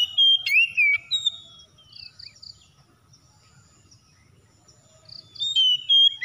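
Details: Home-kept Oriental magpie-robin (kacer) singing as a lure for other kept birds: loud whistled phrases with sliding, twisting notes open the recording, a quiet pause with faint insect-like ticks follows, then a new whistled burst.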